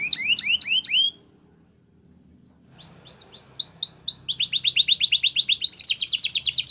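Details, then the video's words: Belgian canary training song: a second of sharp rising whistled sweeps repeated about four times, a pause, then scattered rising notes building into a fast, loud, even trill of bright high chirps lasting over two seconds. "The Most Magical Training Belgian Canary"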